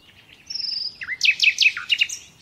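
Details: Captive-training recording of a common nightingale: a thin sustained whistle, then a run of loud repeated swooping notes.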